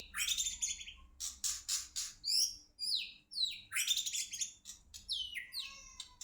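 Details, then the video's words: White-rumped shama of the Medan type from Indonesia, a songbird kept in the bird-song hobby: rich, varied song of loud whistles, quick descending slurred phrases and dense rattling bursts, delivered in rapid bouts with short pauses, over a faint low hum. "murai cabul sayap,murai batu medan,murai indonesia,kicau mania"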